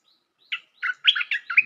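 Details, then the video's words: Lure call of a bulbul for trapping, a short burst of liquid, gurgling chirps rising and falling in quick succession. "Suara pikat merbah lekir"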